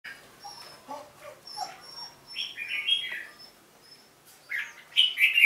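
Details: Red-whiskered bulbul in competitive fighting song: soft low warbles at first, then brighter, louder chirpy phrases rising toward the end.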